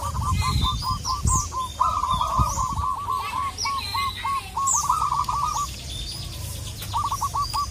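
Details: Local zebra dove, perkutut lokal, calling a rival: long overlapping streams of rapid hooked cooing notes from more than one voice, with bright high chirps and whistles from other birds and occasional low thumps.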